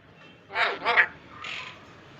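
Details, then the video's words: Parrot imitating human speech: two loud, gravelly, word-like syllables in quick succession, then a softer, breathy syllable, amid a household conversation in Hindi. "Raw parrot speaking clearly"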